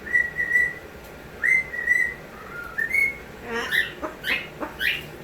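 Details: Pet cockatoo whistling a learned trick sound taught by its owner: clear whistled tones around the same pitch, short swooping and level notes in two bursts, followed by sharper chirps and clucks of chickens in the background.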